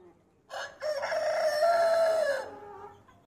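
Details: Hen crowing: a single drawn-out crow of about two seconds, a short rough opening note followed by a sustained, slightly wavering harmonic tone that holds level and then fades away.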